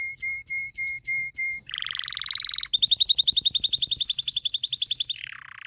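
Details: Canary song for training males and preparing females to mate: a row of short whistled notes about every quarter second, a lower buzzy trill, then a loud fast rattling trill that fades into a falling slur.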